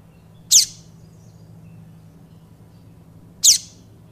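Two brief, high, down-slurred notes from a Yellow-bellied Seedeater, about three seconds apart, over a steady low hum.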